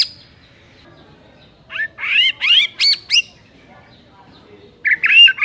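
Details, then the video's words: White-rumped shama singing a few loud, sharp rising and falling whistles after a quiet start, then a final burst of buzzy chattering notes. "PANCINGAN EMOSI MURAI BATU PEMALAS MATERI PEDES TEMBAKAN RAPET"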